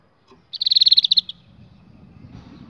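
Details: Canary singing one rapid, high-pitched rolling trill of roughly a dozen evenly spaced notes over three quarters of a second, followed by soft low background hum.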